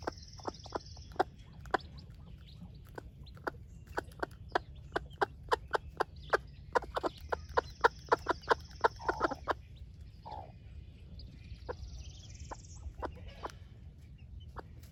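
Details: Splash laced red Wyandotte broody hen with chicks at breakfast, giving a long run of quick, evenly spaced clucks, denser around the middle. Chicks add high, drawn-out peeps, over a steady low hum.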